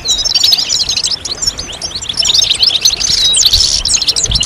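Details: Goldfinch chatter from several European goldfinches, played to get males singing. Crowded high, sharp chirps and thin whistled slurs flow continuously, with a buzzy burst around three and a half seconds.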